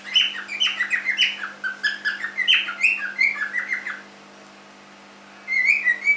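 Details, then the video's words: Pet cockatiel aged three months chattering in a quick series of bright chirped notes, about five per second for four seconds, then a pause before a short burst of clear whistled notes. "My cockatiel"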